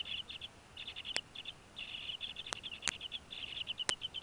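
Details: Bald eagles at a nest in Northeast Florida with two young eaglets in January 2016, a fish just brought in: high, thin chittering chirps in quick bursts, repeated through the clip, with a few sharp clicks.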